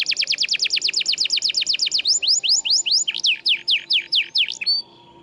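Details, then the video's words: Canary singing for tutoring canaries that stopped singing: a long run of rapid sweeping trilled notes, slowing into wider slurred whistles, ending with a short thin note. "MASTERAN KENARI GACOR !! Bahan isian kenari macet bunyi"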